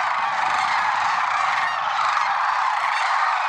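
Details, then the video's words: Early morning at Merced National Wildlife Refuge, 6 February 2023: a large gathering of lesser sandhill cranes calling together, an unbroken wall of overlapping trumpeting and honking notes throughout. "Early Morning Cranes"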